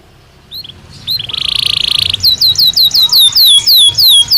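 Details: Belgian canary singing naturally, with song meant for training other canaries, opening with a few thin whistles, then a buzzy rolling tour, followed by a string of clear, downslurred whistled notes repeated quickly, over low background rumble.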